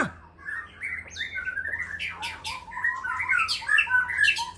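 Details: Caged white-rumped shama of the Aceh type giving a dense, scratchy jumble of squawky and chattering notes with short whistles mixed in, overlapping other chirps from the room.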